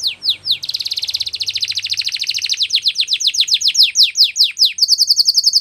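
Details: Canary sings a training song: a few sweeping chirps open into a fast, dense trill, which slows into louder falling strokes before ending in a very high, thin rapid trill.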